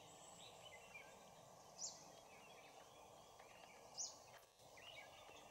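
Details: Oriental dwarf kingfisher recorded at Bondla Wildlife Sanctuary, March 2019: two thin, piercing high squeaks roughly two seconds apart, standing above a dense background drone of insects and forest noise.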